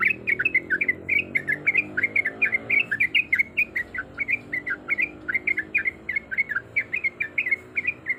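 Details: Female yellow-vented bulbul in breeding condition calling a male: rapid bubbly chatter of short warbled notes, about three per second, steady for eight seconds over a faint low hum.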